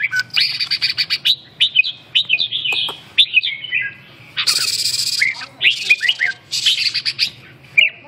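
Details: Red-whiskered bulbul (chào mào) singing a busy string of bright warbled and chirped phrases, some loud buzzy bursts, over a low steady hum.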